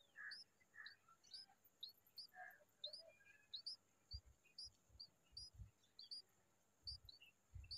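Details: Bulbul perched with her young: a stream of thin, high, flicking chirps repeated roughly every half second, mixed with a few fuller lower notes early on, and soft low thumps near the end.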